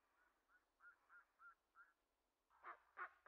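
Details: Steller's sea eagle giving a string of short, nasal, evenly spaced yelps, then two louder, harsher barking notes at the end against a quiet background.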